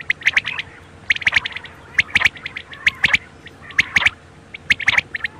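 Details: Quail calling for night: bright clipped chirps in tight pairs and triplets, repeated about once a second in uneven bursts, with a faint constant hum beneath.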